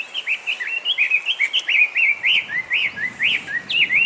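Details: Chinese hwamei, escaped or released cage bird now breeding wild across Japan, singing nonstop; clear whistled notes repeated in quick succession, each a short upward or downward slur, about four per second.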